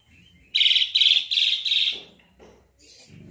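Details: Sooty-headed bulbul, presented as a sound that any bulbul answers straight away: four loud, buzzy, high chattering bursts in quick succession, followed by softer, lower rattling sounds.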